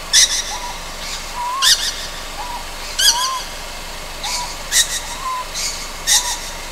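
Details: At night on Amami Oshima, Japan, a young Ryukyu scops owl gives rasping, hiss-like bursts at uneven intervals of about one and a half seconds, with brief, gently upslurred whistles between them.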